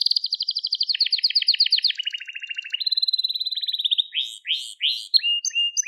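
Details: Continuous singing from a crested Gloster canary: rapid pulsed trills stepping down in pitch across several tours, then a string of separate upswept and level whistled notes.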